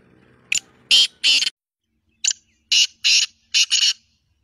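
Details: Black francolin calling, recorded 2 January 2024: loud, harsh, grating high bursts in two clusters, first three notes, then after a pause four more, with a stuttering double note near the end.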